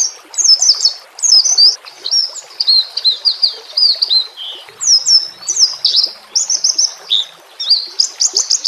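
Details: Training-track song of a White-rumped shama with trickling water behind: a continuous run of high, clear whistled phrases, many sharply slurred up or down, delivered in quick varied bursts over a soft rushing background.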